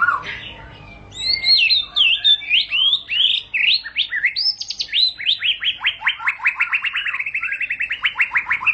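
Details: White-rumped shama (murai batu) singing ngerol panjang, a long rolling song: high twittering phrases that turn into a steady run of sharp falling notes, coming faster and faster toward the end.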